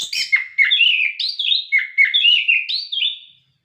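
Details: Orange-headed thrush singing a fast run of repeated short whistled notes, about four per second, each slurring slightly downward with a bright, clear tone; used to stimulate captive birds to sing.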